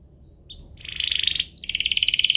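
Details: Canary duo in strong song, used to draw canaries into singing and teach young birds: a short rising note, then a loud rapid buzzy roll, followed by a bright, evenly pulsed high trill.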